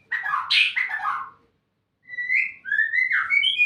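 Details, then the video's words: Caged white-rumped shama in Indonesia, trained in a fighting-style song pattern: a burst of rich, tumbling whistled notes, a short pause, then clear rising and falling whistles and sliding phrases. "MENERNAK MURAI BATU BERPOLAGAMI"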